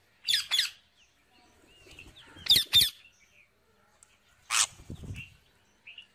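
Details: Wild parrot feeding on seeds, giving paired harsh squawks twice, then a single squawk with some rustling, and faint chirps between.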